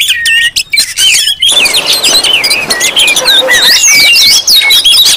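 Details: Lively Oriental magpie-robin chorus played to lure and provoke magpie-robins: scratchy chatter early on, then overlapping looping whistles growing busier toward the end.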